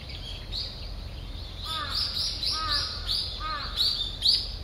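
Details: A grey wagtail foraging for breakfast in a quiet wooded park in early morning gives sharp, high, slightly descending chip notes, about six in under three seconds at an uneven pace, over a low background rumble.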